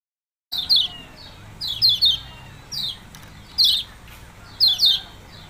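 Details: After brief silence, a yellow-bellied prinia gives bright, falling chip notes in pairs and singles, spaced about a second apart.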